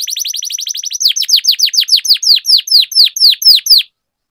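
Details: Domestic canary rolling song (ngerol) for training idle canaries to sing: rapid series of downswept high chirps, about four per second, fast at first then slower and louder, ending abruptly.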